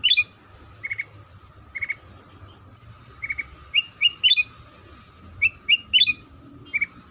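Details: Sooty-headed bulbul song, played as a lure to prompt other bulbuls to sing: short bright whistled notes and rising slurred phrases in irregular bursts, over a steady faint electronic hum.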